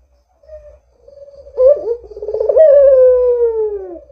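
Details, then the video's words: Barbary dove calling eagerly, used as a lure to set other doves calling: a soft short note and a faint hum build into a vibrating roll, then one long smooth coo gliding gradually lower. "Suara Burung PUTER Gacor ini Paling Ampuh Untuk PANCINGAN Puter Agar BUNYI"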